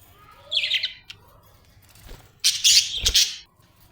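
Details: Happy budgie chirping: a short bright trill of chirps, a quiet gap, then a loud harsh burst of squawky chatter lasting about a second.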